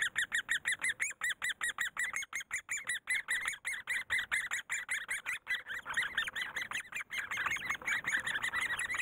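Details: Great spotted woodpecker in Korea during the raising of its young: quick repeated sharp calls that grow louder and crowd together, merging into a near-continuous chatter in the final seconds.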